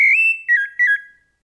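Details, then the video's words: Brief fluted song fragment from a rufous-bellied thrush in Brumado style: one long, pure whistle that rises slightly, then two short wavering notes that fall away to silence. "SABIÁ LARANJEIRA BRUMADO CANTO FLAUTEADO"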